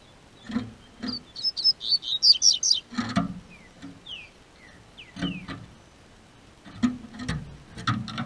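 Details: A captive double-collared seedeater (Sporophila caerulescens) in southern Brazil, singing as the weather warms, gives a quick burst of high chirps, then a few clear downslurred whistles, among repeated sharp clicks and taps. Double-collared seedeater.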